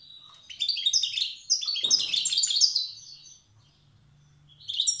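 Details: Old-style song of a wild European goldfinch from Tiaret: two closely linked phrases of quick, high chirps and liquid twitters, a short pause, then a fresh phrase starting.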